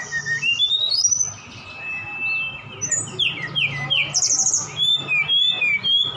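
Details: Javan bush lark from Sukabumi singing vigorously, mixing in imitations of cililin and sikatan londo: a rising whistled glide and a long steady tone, followed by rapid downslurred chirps and high trills, with a low hum behind.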